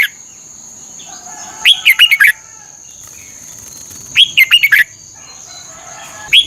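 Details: Song of a Red-whiskered bulbul from Thailand, played to excite caged birds: after a quiet start, two crisp phrases of rapid slurred whistles roughly two and a half seconds apart, then another beginning, over a steady thin tone.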